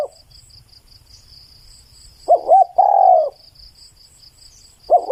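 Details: Spotted dove cooing: a soft gurgling note, then a longer low mellow coo that slides gently downward, with a faint steady insect trill high in the background.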